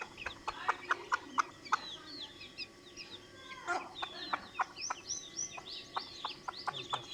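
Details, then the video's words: Brisk clucking from a hen calling chicks: quick repeated clucks in two runs, separated by a harsher rasping note, over constant high-pitched peeping from many chicks. "Hen Noises For Chicks | Chicken Hen Sound Effect"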